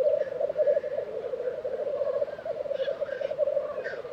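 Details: Black grouse lek in Tiveden, Sweden, April: an even, unbroken murmur of low bubbling coos from the gathered birds, with faint hissing notes and distant thin calls.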